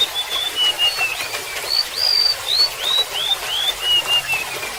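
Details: Sweet descending whistled phrase of a golden-bellied gerygone, thin clear notes sliding down in steps over about three seconds, preceded by a few softer whistles, with constant splashing water beneath.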